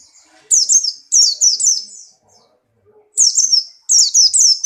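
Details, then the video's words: Buxtoni white-eye in strong breeding condition, hopping about while singing: bursts of three to five high, thin, down-slurred whistled notes, two quick phrases, a pause, then two more. "burung pleci Buxtoni birahi kencang loncat indah nembak"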